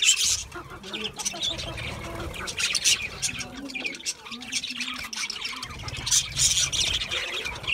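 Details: Budgies eating a seed mix give dense, scratchy high chirps and squawks in irregular bursts, with quieter gaps between. Low, steady hum-like tones run underneath.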